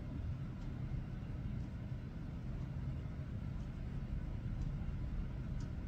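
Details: Steady low rumbling background noise throughout, with a few faint soft clicks and no animal voice.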